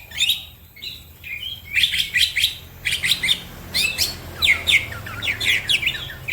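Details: Green leafbird in full, fast song: bursts of sharp high chirps grouped in clusters about every second, separated by brief gaps, over low background hum.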